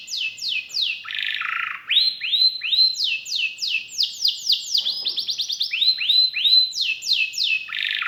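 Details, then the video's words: Canary in full song, a varied, richly filled performance: fast descending whistled slurs, a brief buzzy rattle, then rising upslurred notes and quick trills at a rapid pace. "KENARI GACOR CENGKOK ISTIMEWA,ISIAN MEWAH"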